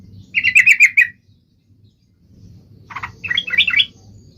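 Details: Trucuk bird song meant to stir other trucuk birds into singing, two short bursts of bubbling, chirpy notes separated by a quiet gap, with a low hum underneath.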